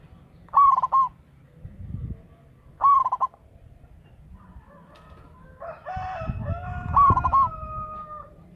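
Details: Loud local zebra dove used as a decoy caller delivers two quick stuttered coo phrases, then a rooster crows long and drawn-out while another brief dove phrase overlaps it.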